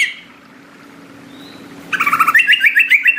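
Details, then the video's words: Greater green leafbird song in a tropical forest setting: after a quiet, hum-filled start, a rapid series of rhythmic chirping whistled notes begins and continues steadily to the end. "Suara Hutan Tropis Istimewa: Anti gagal pasti nyaut ngotot cucak ijo gacor"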